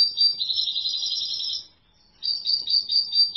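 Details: European goldfinch song: a continuous high jingling twitter lasting over a second and a half, a short quiet gap, then another lively chattering phrase of trilled notes.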